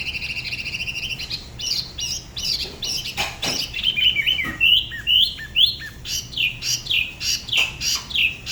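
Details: Solo song of a spot-throated babbler from the La Ba river near Da Lat, a regional style unlike other areas: scratchy notes giving way to a steady run of bright, down-slurred whistles about twice per second.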